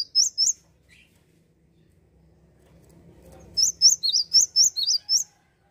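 Java sparrow giving two sharp, high chips, then after a pause a quick run of about eight bright, clipped chirps; a faint low rumble in between.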